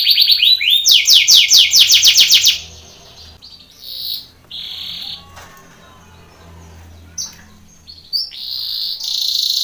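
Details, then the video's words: Belgian canary contest training song with rapid rising-falling trilled notes, then scattered short buzzy phrases separated by pauses, and a closing high trill. "canary training song for contest / canto Canário belga cantando"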